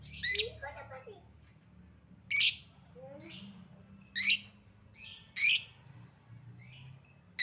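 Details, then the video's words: Lovebird sound used as a lure to coax reluctant lovebirds to sing and respond: harsh, shrill screeches spaced irregularly, mixed with softer, lower twittering notes, over a faint low hum. "Lovebird Susah bunyi Pancing Dengan Suara pancingan Lovebird ini, Pasti bakal langsung Respon Cepat"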